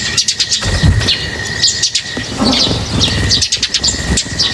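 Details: Birds being fed, giving quick high-pitched chirps in scattered bursts, joined by low thumping knocks and a constant thin background whine.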